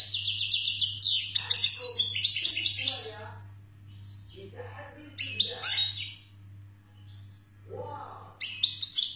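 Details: Wild-type ('khloui') European goldfinch from Algeria in song: fast, high, liquid twittering phrases with buzzy trills open the recording, then pause and resume in shorter bursts, with some lower chirps between, over a constant low hum.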